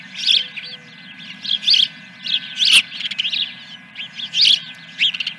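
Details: Osprey at Dunrovin Ranch, 3 May 2021, early morning, in the Fish #1 scene: irregular high, whistled chirps and squealing notes in short clusters, with a low electrical hum throughout.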